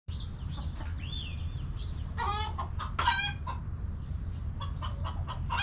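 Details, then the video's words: Backyard hens in their coop give a burst of short, harmonic clucks, sharpest around the middle of the clip, amid a steady low rumble. A separate smooth whistled note slides up then levels off early on. "Hens Clucking!"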